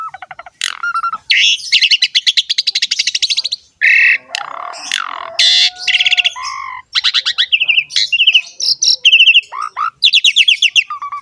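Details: Jalak suren, or Asian pied starling, singing strongly in ngerek style, used to prompt kept starlings into song: long buzzy rattling runs, harsh grating bursts and low fluted whistles alternating, clean without background noise.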